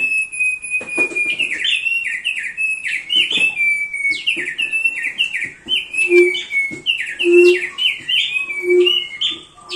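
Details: Thick-billed heleia in continuous song for training birds: fast twittering chains of sliding whistles, with a low, soft hooting tone repeated three times in the background.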